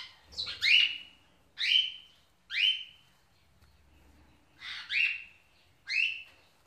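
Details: Pet Indian ringneck parakeet welcoming an African grey parrot, giving six clear, harsh calls that each rise sharply and then hold a level tone, spaced roughly one second apart with silent gaps between.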